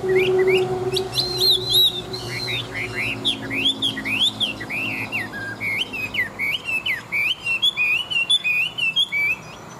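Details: Caged Chinese hwamei, a large old wild-caught fighting bird praised for its wild voice, pouring out a long, rich stream of varied, rapidly repeated whistled phrases, rising and falling without pause, with faint background hum.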